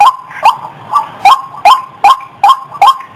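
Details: Lure recording of a female white-breasted waterhen: hoarse upturned notes, about eight in three seconds, slightly uneven in spacing, with one softer note early on.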